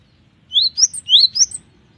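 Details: Cinereous tit song, described as lively and full of variation: a short burst of four ringing, rising whistled notes in quick alternating pairs, recorded clean and close.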